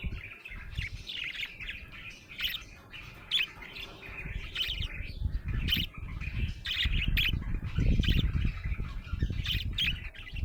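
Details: Happy budgerigar chirping in quick, irregular bursts of squeaky warbled notes, several a second, over a steady low rumble that grows louder toward the end.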